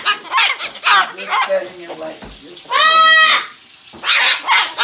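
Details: An Amazon parrot lets out a loud, harsh, ringing scream lasting under a second, annoying a cockatoo named Pickles, with squawks from the second parrot and human voices around it.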